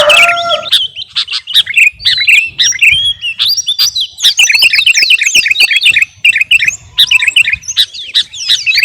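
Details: Sooty-headed bulbul called kutilang garuda, singing hard as a training model for caged birds: rapid scattered chirps and slurred whistles, growing denser and more continuous toward the middle.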